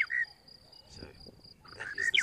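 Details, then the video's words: Close-up of a male Monotonous Lark singing his morning song on a sunny March 19, 2017 morning at Djuma Game Reserve: bright, slurred whistled phrases at start and near end over a steady high insect trill. "Close up of the Monotonous Lark as he sings his morning song"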